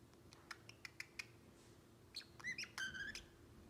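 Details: Pet male Pacific Parrotlet aged seven months, indoors, giving soft ticking clicks, then a few rising whistled chirps and a buzzy drawn-out note toward the end.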